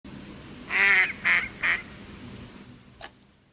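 A Mallard gives three loud, nasal quacks, the first longest, each shorter and quicker than the last, then a faint click over low background hum.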